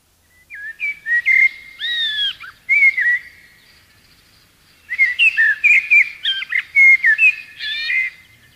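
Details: Common blackbird singing: two bursts of fluty whistled phrases, each a few mellow slurred notes followed by thin higher twittering, separated by a quiet pause of about two seconds.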